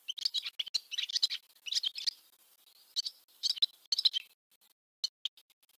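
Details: Barn swallow song: quick, high chattering twitters in dense bursts, broken by brief pauses near the middle and end, then closing with a few isolated sharp chirps; clean background with no other sounds.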